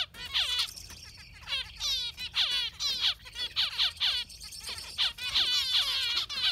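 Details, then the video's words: Yellow finch singing a long, steady run of sharp downward-sweeping chirps, about two to three per second, each bright and buzzy, with a continuous high hiss behind. "Beautiful Yellow Finch giving a Concert"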